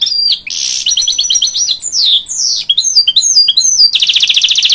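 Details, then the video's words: Hybrid goldfinch song meant to encourage young chicks: varied tinkling, twittering phrases with sliding whistles and quick rattles, ending in a steady rapid buzzy trill of repeated notes. "A Hybrid Goldfinch Sings To Encourage Young Chicks"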